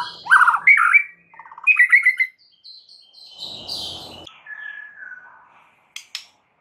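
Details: Song of a White-rumped shama used to make a quiet bird answer; loud rich warbled phrases at first, then softer high notes, a brief noisy burst and falling whistles.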